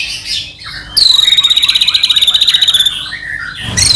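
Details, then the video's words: White-rumped shama in energetic full song, used as a lure to provoke another shama to sing: a long fast trill of repeated high notes around two seconds, with brief chattering phrases before and after. "murai batu gacor AMPUH buat PANCINGAN murai batu agar bunyi"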